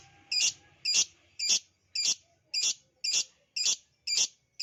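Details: Lovebird calling as a lure to get other lovebirds singing: shrill, sharp high chirps repeated steadily about twice a second, each short and piercing, over a faint low hum.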